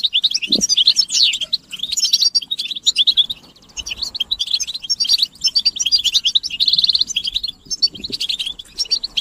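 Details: European goldfinches in a group chorus meant to stimulate silent males into song, described as mating and readiness calls; dense high twittering and tinkling phrases in bursts with short pauses, plus a brief low thump.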